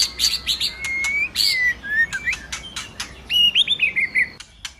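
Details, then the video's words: White-rumped shama song to arouse a singing male: rasping bursts and long smooth whistles, then a fast series of bouncing whistled notes descending in pitch. "Pancingan suara burung murai, Meningkatkan Birahi Murai serta emosi Bongkar Isian!Murai batu gacor"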